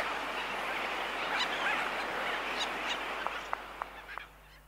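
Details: Laysan albatrosses in a colony, sooty terns calling far off and aircraft sounds also recorded: dense colony chatter, then a quick run of crisp, evenly spaced clicks near the end as the background fades.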